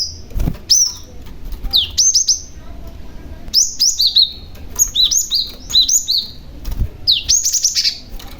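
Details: Lure calls from a young male Cinereous Tit meant to make other tits respond: repeated phrases of two to four bright, piercing chirps across the clip, with a few soft low thumps.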